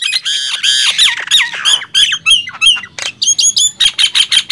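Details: Singing contest between a Nias hill myna and a black-winged myna, with loud grating squawks giving way to sharp, repeated whistled notes about three per second, each bending down in pitch.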